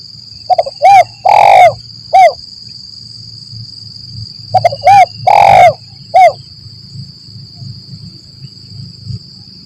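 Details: Two repeated cooing phrases of a spotted dove, a lure for catching doves in the forest, lambung Kuk 1 Mersik style: clipped short notes, arched coos and a long middle coo, with a steady high electronic tone and faint low rumble.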